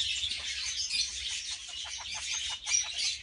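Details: A mating pair of captive red-fronted kakariki parakeets, filmed during copulation, give a dense, high, hissy chatter of rapid squeaky notes that run on almost without pause, with some faint low rumbling beneath.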